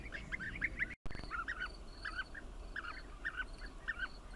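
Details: Bee-eaters calling in quick overlapping bursts, short rolling chirps with bright harmonics repeated several times a second; a brief dropout breaks the sequence near the one-second mark.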